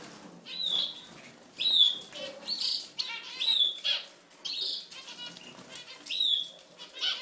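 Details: European goldfinch singing: short bursts of bright, tinkling twitters with clear high whistled notes, repeated about every second or so across the phrase, with faint rustling between bursts.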